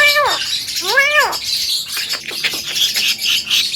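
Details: Javan myna singing for a bird-training recording: two loud, rich arched calls with many harmonics, followed by softer scratchy notes amid hissing background noise.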